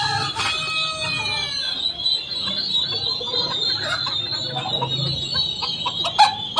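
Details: Silkie chicks keep up a steady, high chorus of peeping, while an adult chicken gives a long, drawn-out call at the start.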